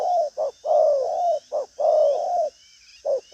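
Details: Spotted dove kept as a cooing bird in Vietnam, giving deep mellow coos: a short note followed by long drawn, slightly falling phrases, then a pause and another short note, over a faint hiss with thin chirps above.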